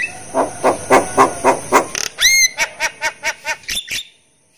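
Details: Javan myna, used to coax quiet caged mynas into calling: a run of gruff, nasal repeated notes about four per second, a bright upward whistle midway, then further harsh repeated notes before stopping abruptly.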